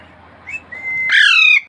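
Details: Talking parrot producing a short rising chirp, then a level, drawn-out whistle, ending in a loud, raspy squawk of about half a second, indoors with low background hum.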